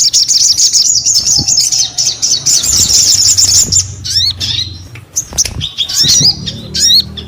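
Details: Crested Jay in lively, full song: dense high trilled chatter for four seconds, then sharp rising-and-falling whistled notes scattered among short chips.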